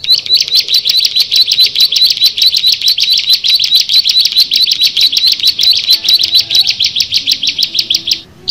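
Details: Bar-winged prinia, one of six birds together: a long, dense, rapid trill of sharp high notes held steadily for about eight seconds before breaking off.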